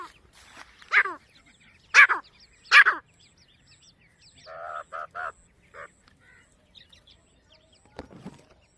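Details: Grey francolin family with chicks: three harsh, descending calls in quick succession, then a run of shorter, steadier, nasal notes and a final rough burst.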